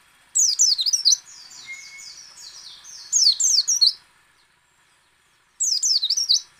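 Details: Pleci (white-eye) song styled ngecal, ngalas and nembak, intended to make other white-eyes sing: three bursts of bright, quick, downward-swooping chirps, with a softer warbled stretch and a faint steady whistle between the first two.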